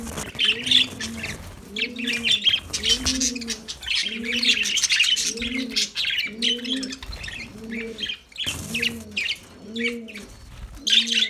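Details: Lovebird chorus of busy, piercing chirps. A steady series of low, double-toned dove coos repeats roughly every second.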